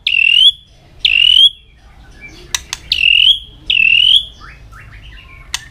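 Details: Fired-up white-rumped shama singing a fighting song while constantly flicking its tail: four loud upslurred whistles in pairs, followed by clicks and brief chattering notes.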